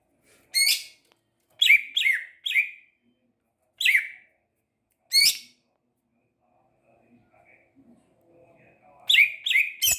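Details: Greater green leafbird, a champion singer, giving sharp, harsh descending notes, single or in fast clusters, spaced by pauses, with a faint low rustle near the end.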